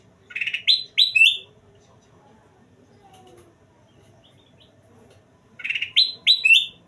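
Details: Two matching bursts of quick, rising whistled notes from a golden kutilang bulbul, each three or four notes long, spaced about five seconds apart with near silence between.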